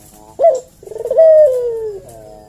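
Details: Single collared dove phrase used to lure a reply: a brief emphatic note, a short pause, then a stuttered build-up into a long, smoothly descending coo.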